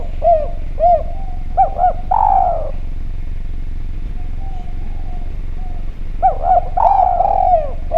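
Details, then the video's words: Spotted dove of the Javan type, singing actively with a clear voice, played as a lure to make other doves call. Bursts of mellow, low coos, short paired notes then a longer slurred one, separated by a quiet stretch with faint hum. "Derkuku Djawa Gacor Suara Bening, Spesial Suara Pancingan"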